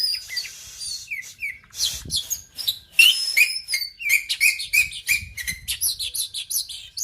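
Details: Aceh oriental magpie-robin of the argal type, its song a lively stream of short whistled slurs, upward flicks and dense chattering notes, growing quicker and busier toward the end.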